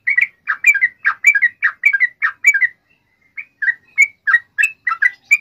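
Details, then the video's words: Lively yellow-vented bulbul song with long trills, played to get other birds singing: rapid liquid double notes, a short break, then brighter clipped chirps in quick succession. "SUARA trucukan gacor ROPEL PANJANG pancingan trucukan agar bunyi"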